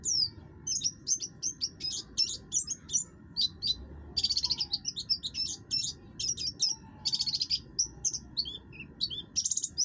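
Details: Oriental white-eye, subspecies buxtoni, singing in full, harsh voice meant to provoke other birds to sing: busy bursts of high chirps mixed with buzzy, rattling phrases, broken by short gaps, over a low steady hum.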